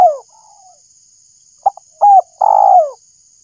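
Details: Spotted dove call for luring birds: the tail of a falling coo, a pause, then a quick short note, a brief coo and a longer descending coo, over a constant high-pitched hum.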